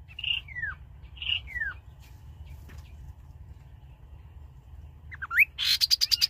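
A rufous-capped babbler sings clear whistled notes that slide downward, ending in a rapid high trill.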